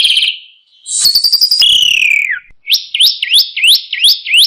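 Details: Asian pied starling song meant to teach other birds, with fancy fills: a high whistle, a rattling buzzy phrase that slides down, then a series of rising whipped notes about three per second.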